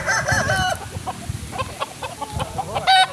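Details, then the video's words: Kukuak Balenggek chicken, a native breed from Solok, West Sumatra. The clip opens with the close of a wavering crow, followed by soft clucks and clicks, then a short, loud crowing note at the end. "Ayam kukuak balenggek"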